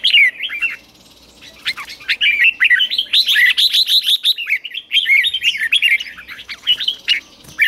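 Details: Red-whiskered bulbul, caged and trained to sing at morning in the ché style. An opening warble and a brief pause lead into a long, rapid flow of clear, looping whistled notes.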